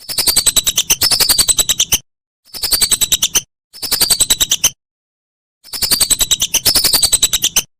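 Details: Whistling duck calls made as a master recording for training songbirds for contests: rapid series of sharp, high whistled notes with a sliding, falling tone, in bursts of about two seconds split by short silences.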